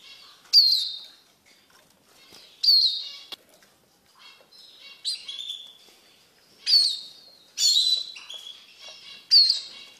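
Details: Caged Eurasian siskin being hand-tamed, kept for breeding and fed from the hand: short, high, sharply falling whistled notes, each with a brief buzzy tail, given about every one to two seconds, with light fluttering between them.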